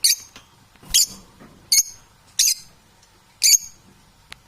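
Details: Parrots squawking: five sharp, high, scratchy notes, roughly one every 0.7 seconds, with quiet gaps between them.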